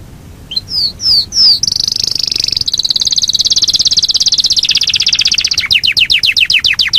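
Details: Yorkshire canary singing a long rolling song: a few falling whistled notes, then a sustained high trill that slows into a rapid train of sweeping notes.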